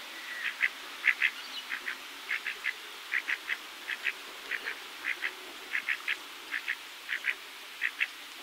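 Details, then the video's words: Pacific black duck uttering short clipped notes, mostly in quick pairs, about every half second across eight seconds, some louder than others, against soft steady hiss. "Pacific Black Duck Call Song Sound"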